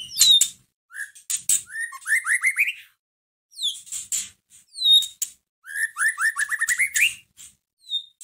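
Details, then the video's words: White-rumped shama, caged, singing to provoke another caged shama: high downward-sweeping whistles, harsh rasps and two fast ascending runs of short whistled notes, with pauses between phrases. "Pancingan masteran pendongkrak emosi murai batu loyo langsung nyahut Gacor"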